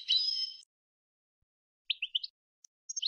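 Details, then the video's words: Fragments of a Tunisian European goldfinch's Sfax-style song, recorded for tutoring: a short buzzy, wavering note, a pause, then a few scattered sharp chirps and twitters. "الحسون التونسي, طرقة حسون صفاقس للتصنيت"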